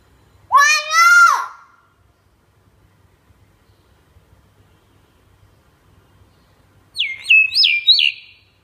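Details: Talking common hill myna in training: a loud, nasal, speech-like syllable that rises and falls, followed after a long quiet gap by three quick descending whistles in a rapid series.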